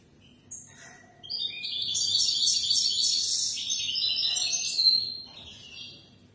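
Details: European goldfinch singing for young birds to copy, a sustained run of rapid, bright twittering and buzzy trills rising in volume, then fading to quiet at the close.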